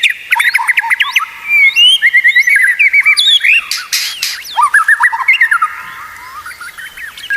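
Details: White-rumped shama song used to train other shamas: rich, loud, varied phrases of quick whistles, slurs and chattering notes delivered in rapid bursts with brief pauses.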